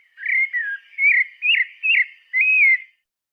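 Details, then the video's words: Pale-breasted thrush whistling five bright, slurred notes, some falling and some arching, ending on a longer drawn-out whistle, with a quiet background. "Sabiá branca"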